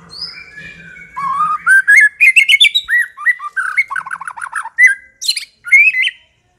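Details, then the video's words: White-rumped shama lure song: thin whistles give way to a rapid, varied run of rising warbles and sharp chattering notes, ending in a few clear swooping phrases. There is a faint low hum at the start. "80% COCOK untuk memikat murai batu AGAR LANGSUNG NYAUT dan GACOR"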